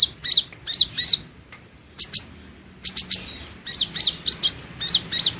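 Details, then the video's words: Van Hasselt's sunbird (Leptocoma sperata), a training recording for songbirds, gives rapid, thin, high chips and twittering notes in quick bursts, with brief pauses between groups. "Suara Burung madu pengantin (Leptocoma sperata) Kolibri Ninja"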